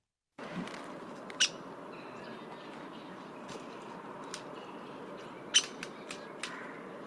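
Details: Downy Woodpecker, a bark-clinging bird of Kentucky, giving its single soft call: two sharp pik notes about four seconds apart, with a few fainter ticks over steady background hiss.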